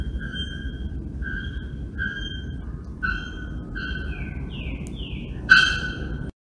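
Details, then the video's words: Bare-throated bellbirds (Procnias nudicollis) in São Paulo Botanical Garden, Brazil, August 2024, give ringing, metallic notes about once a second, then a few short notes sliding downward, over a low steady rumble. "Arapongas vocalizando"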